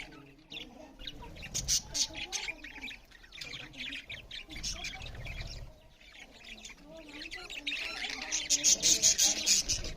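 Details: Budgerigars chirp loudly over food with rapid, uneven high twitters and squawky notes, building into a denser, brighter chorus of chatter toward the end.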